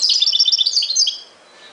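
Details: A single quick phrase from a European goldfinch in the ghoroub style, made of dense, high, liquid twitters that end abruptly.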